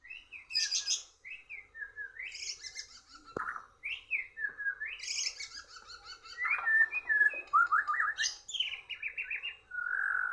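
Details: White-rumped shama competing against a bird from Borneo and losing. Varied song mixing fluty whistles, buzzy high bursts and rapid warbles, with a sharp click near the middle.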